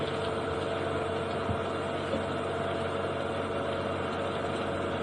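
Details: Quieter idling engine hum with a faint steady tone and low rumble during an afternoon safari drive at Djuma Game Reserve; no animal calls.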